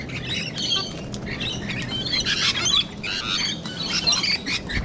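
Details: Sulphur-crested cockatoos and rainbow lorikeets gathered in Sydney, Australia, calling together: harsh rasping screeches mixed with shrill chattering notes, bursts overlapping throughout, a few wingbeats.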